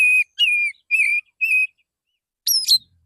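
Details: Morning song of a male Oriental magpie-robin, sung in a relaxed way to call others and used as a lure: four steady, clear whistles followed by a brief high, two-part falling note.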